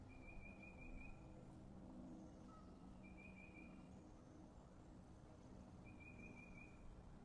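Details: Red-shouldered hawk at a nest in Wake Forest, 30 March 2023, 09:44, gives three thin, high, slightly wavering calls, each under a second and about three seconds apart, over a low rumble of distant traffic.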